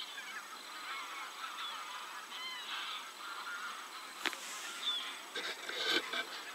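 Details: Geese calling outdoors: a flock of overlapping nasal, harmonic honks rising and falling in the first three seconds, then several sharp clicks and knocks toward the end.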